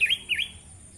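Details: Tame sooty-headed bulbul giving two quick, clear whistled notes, each dipping and then rising, about a quarter second apart, followed by quiet background hum.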